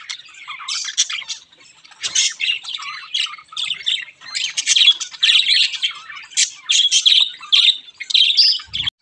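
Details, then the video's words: White and grey Java sparrows keep up a busy stream of high, bright chips and squeaky twitters, overlapping almost without pause, with a brief low thump near the end. "Java Sparrows ❤️|Beautiful java Sparrows"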